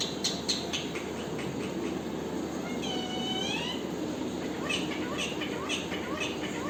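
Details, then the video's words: Parrot producing sharp chirps, a long arching harmonic squawk, then a string of short rising notes in quick succession, over continuous faint hiss. "parrot original voice"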